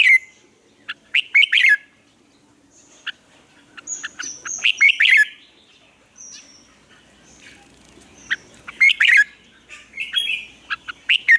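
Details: Red-whiskered bulbul lure song meant to train and stimulate caged birds to sing: quick clusters of bright chirps and warbling notes, with brief thin whistles between busier bursts, sounding near-continuously over eleven seconds.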